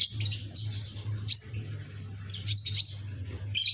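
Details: Young sunbird with a red back and green plumage, kept and still learning its song: thin, very high drawn-out whistles and sharp squeaks in separate short phrases, over a constant low hum.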